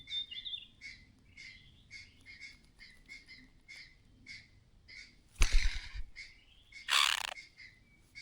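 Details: Alarmed mother bird giving clattering warning calls as danger may be near: short raspy notes repeated at an even pace, broken by two loud bursts of broadband rustling or knocking noise.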